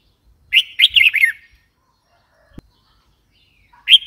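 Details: Red-whiskered bulbul calling a fast run of bright, wavering chirped notes, then a pause and the start of another clear note.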